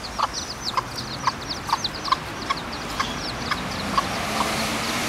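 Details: In the Parque de las Naciones of Torrevieja, a hen with recently hatched chicks gives brief, dull clucks in loose series while her chicks keep up a chorus of high, rapid peeping.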